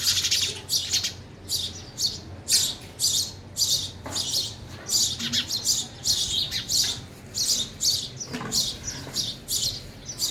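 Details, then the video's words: Sparrows feeding at a feeder chirp steadily, giving loud, shrill, short notes in a near-constant run throughout, with occasional soft rustles beneath. "sparrow sound effect | ચકલી ઘર | chaklino avaj"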